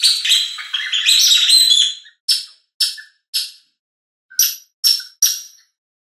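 A Garden warbler gives two seconds of rich, rapid warbling, then a series of short, hard, clicking notes, six or seven over four seconds, with quiet gaps between.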